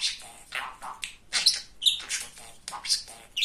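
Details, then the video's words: Talking male budgerigar, very chatty, kept as a pet; rapid, high, raspy chatter of word-like syllables mixed with squeaky chirps and whistled notes, bursting in quick succession with brief pauses. "Говорящий попугай Кеша"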